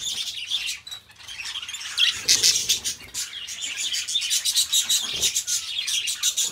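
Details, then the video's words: Two pet budgerigars, described as best friends, warble together in a continuous high chattering stream of scratchy chirps and clicks, softer for the first two seconds, then louder and denser with bright squeaky notes. "beautiful budgies birds sounds"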